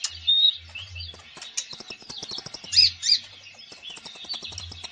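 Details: Konin bird in full song for training konins that seldom sing: a thin whistled note, then busy twittering and chatter with a few sharp squeaky peaks, and a faint low hum throughout.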